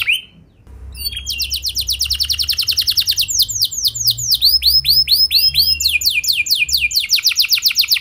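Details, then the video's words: Domestic canary song used as a lure to get other canaries answering and singing long: after a short quiet start, rapid rolls of high downward-sweeping notes follow in tours that change pattern every second or two. "Pancingan Ampuh Buat Kenari Kondisi Apapun! Bakal Langsung Nyaut Ikut GACOR Panjang"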